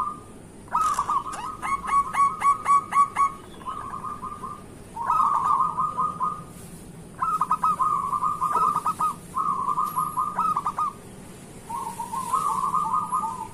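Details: Morning song of a local zebra dove, played to coax lazy zebra doves into singing: a long series of fast, stuttering coo phrases separated by brief gaps, opening with a few sharp clicks.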